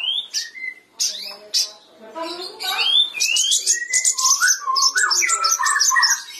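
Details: Gacor sooty-headed bulbul song to spur a mute bulbul: rising whistled notes open, then a dense run of quick high chirps over lower fluting, rolling phrases.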